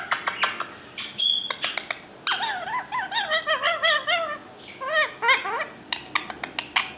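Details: A five-month-old male Indian ringneck kept indoors and starting to talk produces rapid clicks and kiss sounds, then a run of wavy, warbling whistles rising and falling, followed by more clicks.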